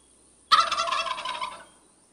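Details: A single turkey gobble, a sudden harsh, rapidly gurgling rattle lasting just over a second and trailing off, with a faint steady high hiss behind it.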